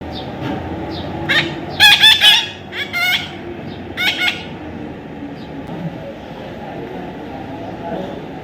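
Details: Baby parrot giving harsh, harmonic-rich squawks in a short cluster in the middle, then two more brief calls, over a steady low background hum.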